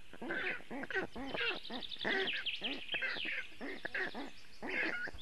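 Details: Young black storks alone on a nest in Latvia, filmed by webcam on a very hot afternoon, 2 June 2018, calling for cooling: dense runs of hoarse, harmonic, arched calls, with small birds chattering high in the background.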